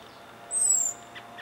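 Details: An American robin perched near Guerneville, Sonoma County, California, on April 22, 2020, gives one thin, very high, slightly falling 'seee' hawk alarm while watching the sky, presumably at a Common Raven calling overhead. Two faint lower chips follow.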